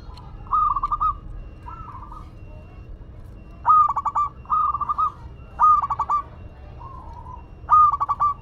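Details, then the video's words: Local Madura zebra dove in steady song, six or so stuttering coo phrases of quick pulses and held endings, some louder and some softer, over faint cooing from nearby doves. "Perkutut Lokal Madura Gacor"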